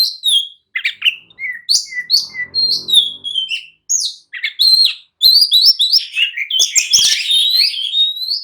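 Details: Oriental magpie-robin, a kept songbird in an agitated, excited state, singing to provoke other males to answer and fight: a rapid, varied stream of loud whistles, sharp chirps and buzzy trills, with short pauses between dense bursts.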